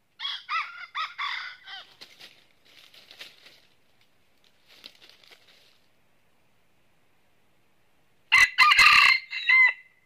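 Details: Red-eared red junglefowl decoy crowing during trapping in northern Vietnam: a stuttering crow opens, fading into scattered rustling, then after a pause a second loud, harsh crow bursts out near the end.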